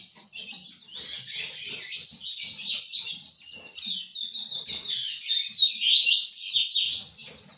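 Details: Tournament fibra ultramarine grosbeak giving two long bursts of dense, high warbling song, the second louder and fuller, with brief quiet gaps and soft clicks between.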